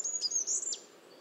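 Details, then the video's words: Goldcrest (Regulus regulus) song: a brief burst of extremely high, thin, sibilant notes with a few quick downward flicks, fading after under a second; faint background hiss. "Как поёт желтоголовый королёк"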